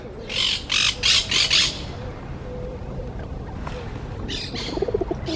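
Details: Ruddy shelduck calling: a run of four loud, harsh, nasal honking notes in quick succession, then quieter, softer calls near the end over a steady low background rumble.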